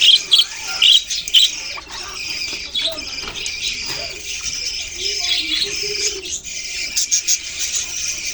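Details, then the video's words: Budgies chattering as a group, recorded November 6, 2023: a steady high twittering hum with loud sharp chirps bursting out near the start and again near the end, and a faint lower voice-like sound in the middle. "Budgies beautiful colours and chirping sounds"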